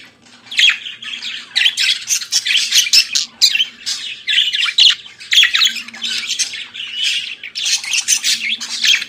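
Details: Pet budgerigar singing in the morning: almost unbroken rasping, chattering warble with squeaks and short whistles, in clusters, faint low hum behind.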